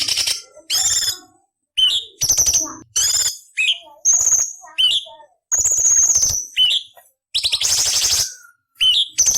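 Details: Ruby-throated bulbul (cucak cungkok) training track of harsh rasping 'beset nyerecet' fill variations for shama, leafbird and magpie-robin: loud buzzy bursts alternating with short rising whistled slurs, irregular spacing, no other sounds.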